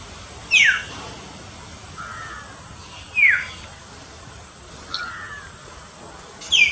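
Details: Common hill myna call: short, bright downward-sliding whistles heard about every 2.7 seconds over a steady hiss of background noise, with fainter lower notes between them.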